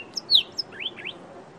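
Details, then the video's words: Chestnut-vented tit-babbler giving a brief burst of high, thin, down-slurred chirps followed by two short upward-sweeping whistles, over quiet background. "Chestnut vented Tit babbler call"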